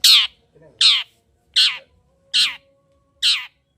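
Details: Long-tailed shrike call played to stir a silent shrike into singing; loud harsh, grating squawks repeated five times, roughly one every three-quarters of a second.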